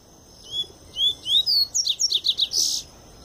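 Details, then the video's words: Pure Tui Tui song of a double-collared seedeater coming out of molt: three rising whistled notes, then a fast run of five or six sharp, chipping notes ending in a buzzy flourish. "Papa-capim Tui Tui puro"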